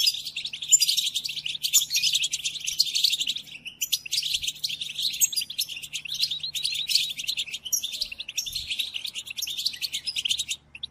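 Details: European goldfinch singing for the training of captive birds: sustained rapid twittering phrases with sharp chips and liquid trills, a few brief gaps between bursts, and a faint steady low hum.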